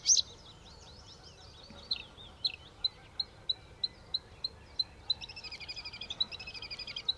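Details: Bluethroat (Luscinia svecica) singing in the early morning in the Netherlands: varied twittering phrases, then a run of about ten clear, evenly paced ticking notes, ending in a fast buzzy rattle.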